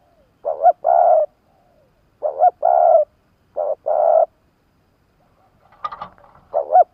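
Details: Spotted dove kept as a decoy bird in Vietnam, cooing to draw in wild doves: three low, hollow phrases, each a quick double note followed by a longer purring coo, about every 1.5 seconds, then a brief rustle and another phrase beginning.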